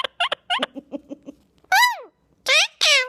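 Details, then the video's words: Two-year-old male pet Indian ringneck parakeet chattering at the camera: clipped, speech-like syllables, then loud, drawn-out, harmonic, squawky vocal phrases with rising and falling tone. "Bird doesn't stop talking to the camera!"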